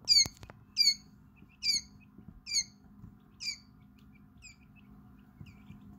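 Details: Hours-old quail chicks, about five hours after hatching, in a brooder; a run of sharp high peeps, loud at first then fading, with a click and soft background hum.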